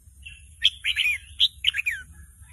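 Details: A juvenile red-whiskered bulbul still learning its song, stirred up by a lure recording, delivers a quick string of bright chirped notes with several sharp accented peaks in a rushed, uneven phrase.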